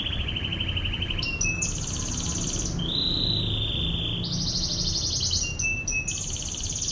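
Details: Kenari, or canary, singing an ngebren master song made of long sustained rattling trills, switching between low and high trill phrases every second or two, with short sharp notes between them.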